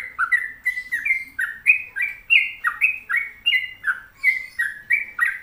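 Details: Sooty-headed bulbul (trucuk) singing gacor, a steady flow of bubbly, warbled two-part notes that dip and rise, about three phrases a second without pause, in a quiet setting.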